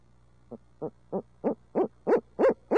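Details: Urbanized barred owl in Midtown Tulsa building a hoot series: eight low, hollow hoots roughly three per second, steadily gaining in volume, with a constant low hum behind.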